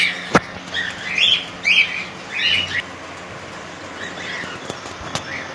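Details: Three harsh, arched screeches from a colony of cockatiels come about half a second apart, with sharp clicks and knocks and weaker calls afterwards against a humming background.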